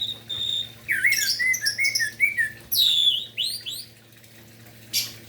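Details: Orange-headed thrush in morning song meant to provoke other thrushes to sing: rapid run of varied whistled notes, sharp upward and downward slurs and a few harsh squeaky notes, ending in near silence.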